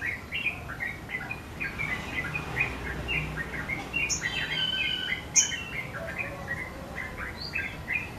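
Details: Continuous twittering from a sogon singing hard with its wings spread: quick chirps and short warbled phrases, with a couple of sharp high accents.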